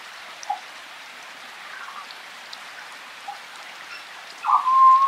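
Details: A wild African grey parrot in forest gives a few soft, scattered clucks, then a loud, steady mid-pitched whistle at the end, over a constant patter of rain.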